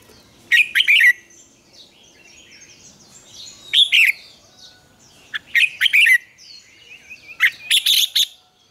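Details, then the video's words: Red-whiskered bulbul singing its morning double-note song, a mature wild style played to train other bulbuls: three loud, liquid, chattering phrases roughly every two and a half seconds, with soft wavering trills from other birds between them. "luyện chào mào hót sáng, Ép chào mào hót âm kép già rừng hay tuyệt!"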